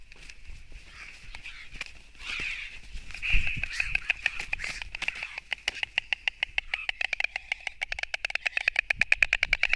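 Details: Fight between white storks, taken from a live stream on 29 March 2024: a rattling run of sharp wooden clicks that grows faster and louder into a dense machine-gun clatter, with a steady high hiss in the background.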